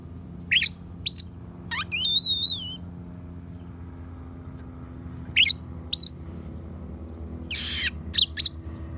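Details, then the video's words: Oriental magpie-robin singing with mimicked sparrow and prinia phrases, used for training songbirds. Sharp high chirps and rapid downslurred notes come in short bursts, with a brief wavering whistled phrase and quiet gaps between. "Kacer Isian Gereja,prenjak pass untuk masteran"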